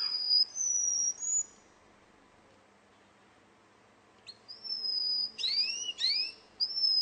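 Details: Russian canary song from a singing contest: high pure whistles, a pause of about two seconds, then rising sweeps and a steady whistled tone.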